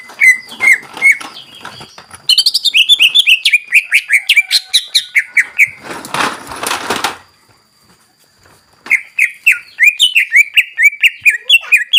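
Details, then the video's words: Full-repertoire song of a greater green leafbird, used to rouse and excite other birds: rapid strings of clear whistled notes dropping in pitch, broken by a burst of rustling noise and a short pause before the whistles resume. "CUCAK IJO SUPER GACOR FULL BONGKAR ISIAN BUAT PANCINGAN DAN MENAIKAN EMOSI"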